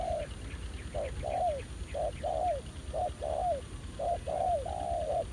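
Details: Ground-decoy trapping of spotted doves, with an aggressive new wild male. Rhythmic low coos repeat about once a second, short notes paired with falling drawn-out ones, and faint voices can be heard behind.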